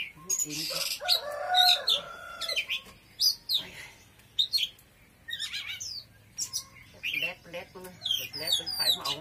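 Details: Oriental magpie-robin singing forcefully: loud, varied bursts of sharp whistles, chirps and rapid scratchy trills, delivered in uneven phrases separated by brief pauses, with some lower rough notes early on.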